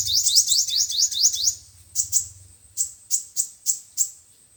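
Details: Trapping lure of five-colored and seven-colored sunbirds: a fast opening trill of repeated upswept notes, then separate sharp chirps spaced about every third of a second.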